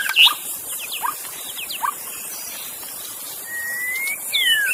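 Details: Wild magpie-robin singing in forest, recorded as a masteran training track: scattered thin whistled notes, short upslurs and downslurs, then a long, steadily rising whistle and a falling slur, over a constant high insect hiss.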